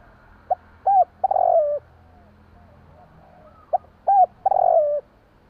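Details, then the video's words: At night, a Javanese spotted dove repeats a coo phrase twice: a quick soft note, a hooked coo, then a long rolling, purring coo that slides down at the end. "burung tekukur bunyi malam hari"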